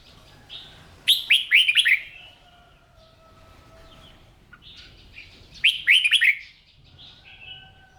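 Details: Captive red-whiskered bulbul during morning song training, prompted to sing its competition-style song; two loud phrases of four or five rapid, downward-swooping whistles roughly four and a half seconds apart, with quiet sustained tones between.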